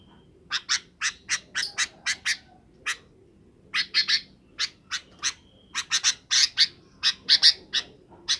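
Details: Sooty-headed bulbul calling in the afternoon to summon companions to roost; a busy run of short, harsh chattering notes repeated in quick uneven bursts, with brief pauses between groups.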